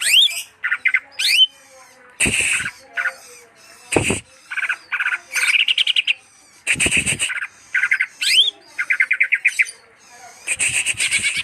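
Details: Greater green leafbird singing a loud, varied series of rising whistled slurs, harsh buzzy chatters and rapid clicking trills, with short pauses between bursts.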